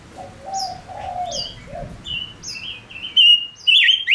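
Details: Male lure bird singing to draw in wild birds: soft low warbles give way to loud, level whistled notes with sharp high flicks, coming roughly twice a second and growing louder toward the end.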